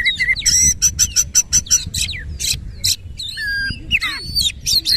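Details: White-rumped shama song opening with a fast series of harsh clicking notes, followed by long pure whistles, a low dropping note and sweeping slurred phrases.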